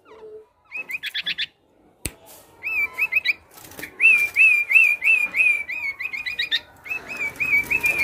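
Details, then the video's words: Male black-naped oriole singing energetically and imitating other birds: bursts of rapid high chips, then a run of short whistled notes and wavering slurred whistles, repeated almost three times a second. "Gocor Aneh Kepodang Emas,Bisa Menirukan Suara Burung Lain."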